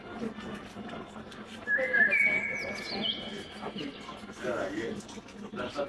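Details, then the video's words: Parakeets singing and playing give clear, sustained whistles that slide upward, mixed with soft chattering over a steady, noisy indoor background. "Parakeets singing and playing"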